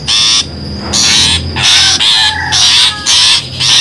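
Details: Lure sound of a long-tailed shrike used to trap birds, made up of loud, grating scolding bursts, about four in under four seconds, with a faint steady whine.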